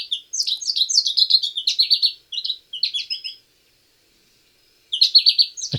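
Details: American goldfinch (Spinus tristis), song.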